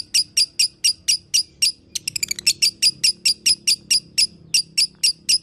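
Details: Lovebird chirps used to make a caged lovebird sing again: a regular sequence of piercing high notes, broken briefly by a rapid stuttering run of quicker notes, then resuming the even chirping.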